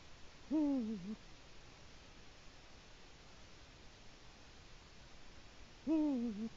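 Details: Eagle-owl hooting at the nest on an October evening to claim its area: two low, mellow hoots with a falling tail, about five seconds apart, with faint steady noise between them.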